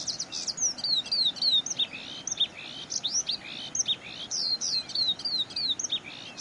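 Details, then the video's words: Oriental skylark at Zhushan, May 2011, pouring out varied high song of quick slurred chirps and downward-sweeping notes in uneven bursts, steady throughout without other clear sounds. "小調歌王~小雲雀 Skylark~Folk song star"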